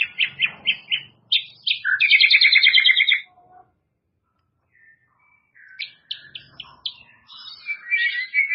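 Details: White-rumped shama, murai batu, producing sharp repeated chirps, then a loud rapid trill of buzzy double-toned notes, a pause, and more quick varied high chirps.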